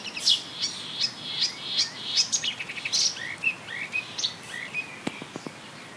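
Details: A marsh warbler sings in May 2013 on a railway embankment at Bernau-Friedenstal, mimicking tits, blackbirds, larks, goldfinches and starlings. It gives a fast, varied run of high chirps, buzzy notes and short whistles, changing phrase every second or so, with sharp clicks near the end.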